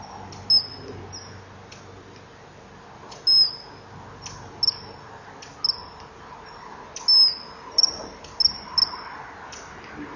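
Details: Common kingfisher male in a nesting-wall burrow, filmed 23 July 2015 at 20:44, stretching tall and calling after driving off a fish-seeking juvenile: a series of sharp, thin high whistles, some slurred downward, repeated irregularly every second or so, with faint background hum.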